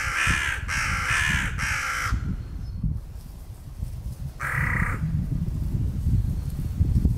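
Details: Crows clashing over peanuts on a territory border; three rapid rasping caws, a pause, then one more caw, over steady low-pitched background rumble.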